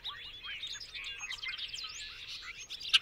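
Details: Bobolink pouring out a fast, bubbling, metallic jumble of gliding notes, ending with a sharp high click.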